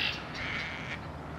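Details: One tern gives a single grating, slightly falling cry lasting under a second at a rooftop colony beside the Cataraqui River, then only a soft background hum.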